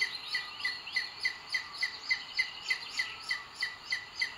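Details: Recorded by a nest webcam in Sierra de Guadarrama Natural Park, Spain, 2 June 2022: booted eagle at the nest while the male brings food to the female. High, thin notes repeat regularly, around three to four each second.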